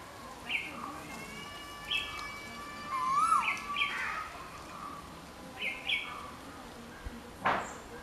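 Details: Yellow-footed green pigeon (hariyal) giving long, steady whistled notes with a rising-then-falling warble in the middle. Short repeated chirps from another bird sound throughout, with a sharp click near the end.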